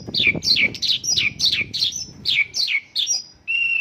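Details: Mongolian lark song filled with local bird phrases: fast downslurred whistles over a faint low rumble, finishing on one steady, level whistle.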